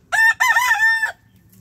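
A rooster gives one loud, hoarse crow: a short opening note, a brief break, then a long drawn-out strained phrase that falls away at the end.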